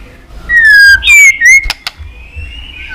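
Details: White-rumped shama fighting-provocation song: a long falling whistle, then two loud rising whistled slurs, then two sharp clicks and a faint high drawn-out note.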